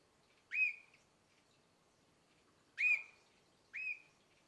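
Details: Three crisp rising chirps from a canary about nine months old, each sweeping up and settling into a short whistle, the first two over two seconds apart, in a quiet room.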